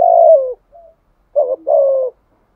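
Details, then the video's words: Decoy spotted dove in Đồng Son style, giving a bowing coo to call wild doves. A long falling coo is followed by a brief soft note, then a broken double note and a sustained, slightly descending coo. "chim cu gáy mồi thúc gù nhiều bài vở[ thúc gù. gáy gọi. đủ bài ]"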